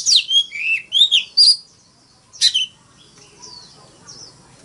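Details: Oriental magpie-robin delivering its fighting song, with a cluster of loud whistled and buzzy notes, one more sharp burst after a pause, then soft faint warbling.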